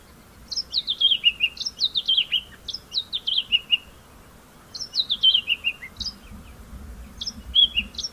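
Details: White-browed scrub robin, individual with its own call variant, repeating one phrase over and over: short descending series of bright whistled notes, phrases about a second apart with brief pauses, soft low rumble beneath.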